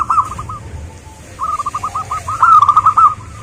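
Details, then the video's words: Zebra dove of a local wild strain giving trilled strings of soft cooing notes that swell louder toward the end, against a constant murmuring noise. "suara burung perkutut"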